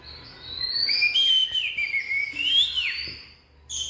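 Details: Oriental magpie-robin with a long, sliding whistled phrase that rises and falls, ending in a steep downward slur, followed after a pause by a sharp high note over low background rumble.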